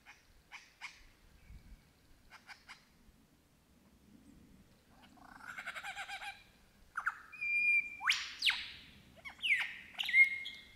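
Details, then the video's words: Wild Australian lyrebird singing in the bush, a varied medley of mimicked calls said to include crow, kookaburra and magpies: scattered clicks, then a rapid chattering burst, followed by loud sweeping upward whistles and bright piercing notes. "The Australian Lyrebird singing in the bush"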